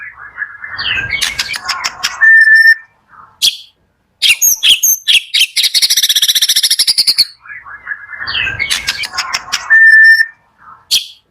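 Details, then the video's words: White-rumped shama song used in the morning to stimulate shamas slow to sing: varied whistled phrases, a steady whistle near the middle, harsh buzzy bursts and a fast rattling trill, with short silent gaps between phrases. "PALING EFEKTIF DI PAGI HARI UNTUK PANCINGAN MURAI MALAS BUNYI"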